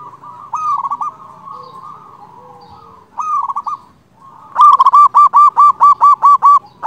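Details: Loud-voiced local zebra dove calling rivals: a soft steady murmur of cooing, two short rolling bursts, then a long emphatic run of about ten evenly spaced clipped coos.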